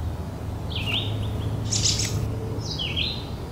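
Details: American Robin at Petrie Island, Ottawa, Canada, giving two brief, sliding, whistled phrases about two seconds apart, with a higher thin chirp between them, over a steady low hum.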